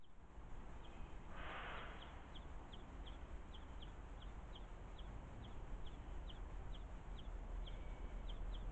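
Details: A juvenile European greenfinch waiting patiently for its parent at a UK garden bird feeder repeats thin, high begging notes two or three times a second, faint over a steady low rumble of wind or traffic.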